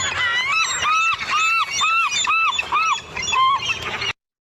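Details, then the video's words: Glaucous-winged Gull giving a quick run of about nine arched, squeaky mewing notes, roughly two per second, over faint background hiss, a call it gives besides its shrieking alarm-like call. "Did you hear all those other little squeaky sounds too? That's also a sound that the glaucous-winged gull makes."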